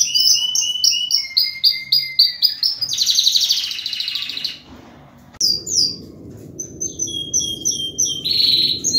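Canary song: rapid runs of bright, high chirps and trills, rolling into a dense buzzy warble, with a short break mid-way before the song resumes.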